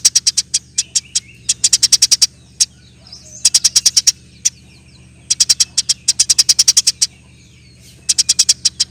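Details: Extended 'nyerecet' chatter from a Eurasian tree sparrow: clusters of rapid, sharp high-pitched chips, about three per second overall, interrupted by short silences, with a constant low hum underneath.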